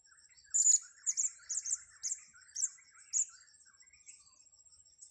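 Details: A series of six high, scratchy double chirps spaced about half a second apart from a blue-crowned hanging parrot during luring, with faint lower twittering underneath and a steady thin tone.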